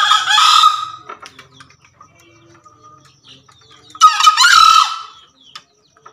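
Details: Two male Javan green junglefowl crowing, used as a lure or master call: two short, hoarse, broad-band crows about four seconds apart, each a brief rasping burst, with faint chirps and clicks between.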